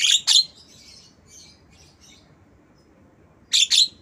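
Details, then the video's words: Black-winged myna reproducing lovebird calls as a tutor track for mynas and lovebirds; a paired raspy screech at the start and another at the end frame soft, scattered high twitters. "Jalak kebo Suara Lovebird"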